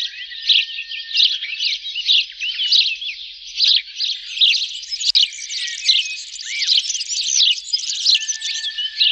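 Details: Sparrows chattering in a dense, continuous chorus of overlapping high chirps and short tweets, busy and unbroken for the whole stretch with loudness rising and falling, a faint steady whistle-like tone running low underneath.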